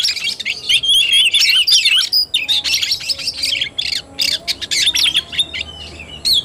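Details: Oriental magpie-robin, kacer singing in fighting style (tarung): a dense, rapid stream of varied whistles, harsh squawks and chattering notes, loud and nearly continuous, with brief pauses toward the end.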